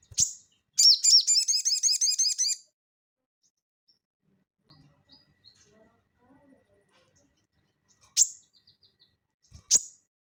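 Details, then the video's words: Crested jay in active song, recorded as training audio for cage birds. A sharp high chirp opens, then a rapid run of about fifteen repeated ringing, hooked notes for two seconds. Later come two more isolated piercing high notes, with faint low knocks between. "SOGON GACOR NGELEPER"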